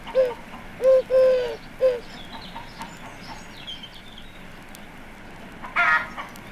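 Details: A Eurasian Collared Dove in an English suburban garden with chicken runs and conifers gives its low three-note cooing song, long middle note stressed, then a short harsh, nasal flight call; clucking hens, a singing robin and faint background birds.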